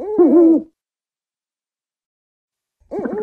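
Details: African wood owl giving a short wavering hooted phrase, then a long silence before another hoot begins, clean recording without background noise.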